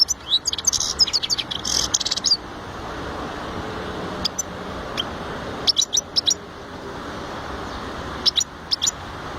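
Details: European goldfinch giving a quick burst of high, bright twittering notes at the start, then scattered clusters of thin, sharp chirps separated by quiet gaps, over a constant low rumble.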